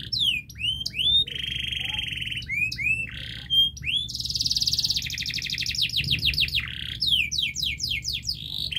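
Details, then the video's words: Canary master song meant to prompt a silent bird: rising whistled notes, flat buzzy rolls, a loud rich trill and clusters of rapid falling chirps in varied succession. "Masteran kenari GACOR NGOTOT untuk Pancingan Kenari Tidak Mau Bunyi Agar Bunyi"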